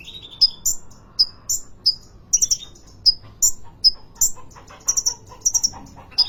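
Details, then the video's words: Sunbird in a cage at a Depok bird market, singing hard: rapid alternation of very high chirps and sharp downslurred whistles, a note every fraction of a second, with faint lower twittering behind. "Kolibri ninja konin gacor dor"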